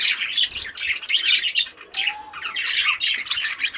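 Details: Rainbow budgerigar chattering: a continuous dense stream of scratchy warbles and squawky notes, with one brief low whistle in the middle.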